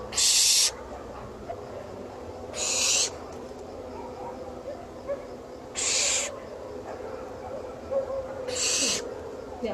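An owl gives four harsh, hissing screeches, each under a second long, spaced about every three seconds over a low room murmur.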